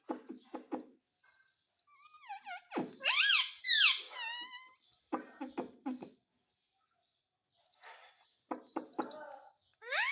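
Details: A pet parrot that talks in Hindi chatters in short speech-like syllables, perhaps 'mummy', breaking into shrill squawks with rising and falling whistled tones, then returns to quick muttered babble.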